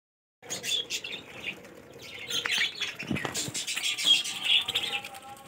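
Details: Budgerigar (Melopsittacus undulatus), chatter.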